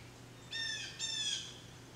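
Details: Two harsh, scratchy blue jay calls back to back, each about half a second long, with dense stacked overtones over a faint steady hum.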